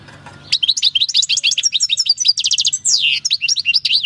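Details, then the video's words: Wild-caught European goldfinch, taken in 2018, with its own countryside song: a rapid stream of high varied twittering notes, a short rattle and a descending slur, then more twitters. "JILGUERO CAMPERO CANTANDO/Chant du chardonneret/Golfinch singing"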